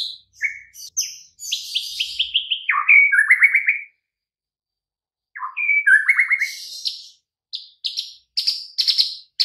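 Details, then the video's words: Training track of White-rumped shama song to stir silent, weak birds into answering: descending stepped whistle series, rich warbled phrases, a pause, then rising trills and scratchy high notes. "Murai Batu BISU & LOYO langsung NYAUT Seketika dengan MASTERAN Ini"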